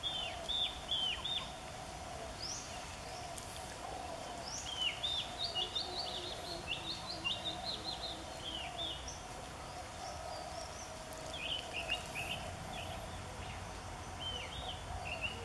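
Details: Oriental Magpie Robin, Copsychus saularis, pouring out a love song at a nature centre in Kantharawichai district, Mahasarakham, Thailand, February 2014; bursts of high clear whistles and quick downslurred notes, pausing briefly, against steady noise.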